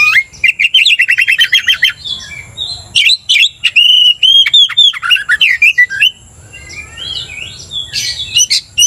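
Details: Caged Oriental magpie-robin, stirred to aggression by a rival's song, delivers a rapid rattling trill followed by loud varied whistles, slurred notes and sharp chips, then a softer pause.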